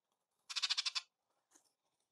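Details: Bullock's oriole at a jelly feeder on a breezy afternoon in Descanso, San Diego County mountains, Cleveland National Forest, California, gives a harsh, dry chatter of about eight quick scratchy notes in half a second, followed by one faint, brief note.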